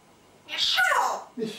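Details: A pet African grey parrot speaks one raspy, word-like phrase that slides from high to low pitch, then adds a short, low syllable.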